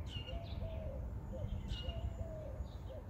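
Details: A dove perched on a chimney gives soft, low, hollow coos in quick phrases that echo down the chimney flue into the home, over a steady low rumble, with thin high chirps from another bird.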